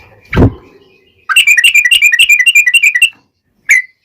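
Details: Sooty-headed bulbul giving its long rolling trill, used as a lure for other bulbuls to answer: a loud thud first, then a fast buzzy trill lasting nearly two seconds, ending with a single whistled note.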